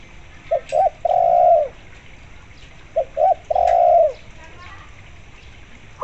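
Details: Spotted dove used as a calling lure with local zebra dove sounds, to prompt zebra doves to sing: two even phrases about 2.5 seconds apart, each two short clipped notes then a long, smooth, low coo.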